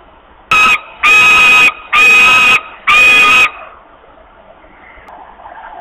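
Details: Hungry osprey at a nest in Poland, August 2021, with long screams for food: one short scream then three long harsh screams in quick succession, followed by quiet background.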